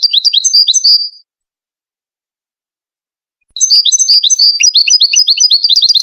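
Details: Moroccan European goldfinch song in the Widani manner, intended for teaching chicks: a short jingling phrase, a pause of two seconds, then a longer, continuous stream of fast, high, metallic twitters.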